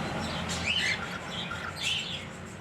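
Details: A pet pair of cockatiels gives two brief, faint rising whistled calls about a second apart, over a low steady background hum.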